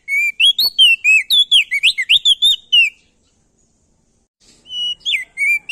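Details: Male Crested White-eye, known locally as prenjak daun, singing hard to stimulate other birds: a dense, fast stream of clear whistles, silence, then a short whistled restart.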